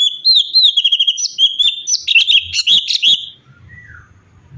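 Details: Varied natural song of a cucak cungkok bulbul, recorded for songbird tutoring; quick trilling whistles and rising and falling chirps for about three seconds, then a faint soft note over low background noise.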